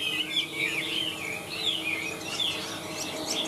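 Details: Chinese hwamei in a cage, a big handsome bird singing high, delivers rich whistled phrases that swoop and bend, one after another, with some fainter high notes mixed in over steady background noise.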